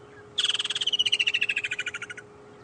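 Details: Woodland kingfisher on a sunset safari drive on 2 December 2014 gives a sharp high opening note breaking into a fast, ringing trill of about twenty notes that slowly drops and fades, over a faint steady hum.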